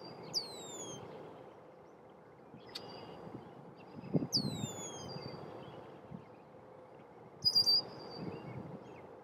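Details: Male Red-winged blackbird warns of intruders approaching its nest: three high whistles sliding steeply down, spaced a few seconds apart, with low thumping and rustling noises in between.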